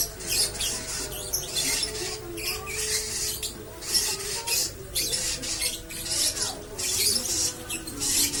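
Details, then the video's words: Lovebird performing koslet-style song with long ngekek chatter: continuous bursts of shrill, scratchy chatter in quick succession, briefly interrupted by short gaps, over a faint steady low hum. "Love Bird (LB) Koslet, Ngekek Panjang"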